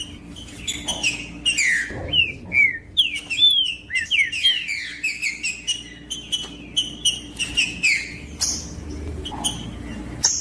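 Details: Green-winged saltator singing in the bush, used to stir a quiet bird into song: clear whistled phrases that slur downward, given in quick bursts, mixed with sharp high chirps and clicks from other calling birds.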